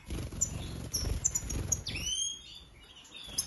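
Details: A European goldfinch (Carduelis carduelis), a mutation colour form, gives bright, tinkling twitters and a few clear rising-then-falling whistled notes over a low rumbling background.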